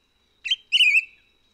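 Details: Two-part whistle from a white-whiskered laughingthrush in Taiwan's Hehuanshan mountains: a short rising note, a pause, then a sustained loud wavy whistle that fades out, with a faint steady high tone underneath.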